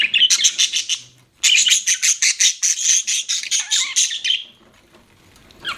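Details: Pet budgerigar chirping: rapid runs of bright, buzzy chattering notes, two bursts with a short pause between, the second longer and fading out.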